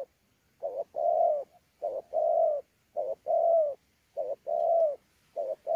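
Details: Wild-caught spotted dove at Sa Thầy, Kon Tum, recorded 26 November 2019, performing fighting-style cooing with bowing coos: steady series of paired hoots, a short note then a long gently falling one, about once per second.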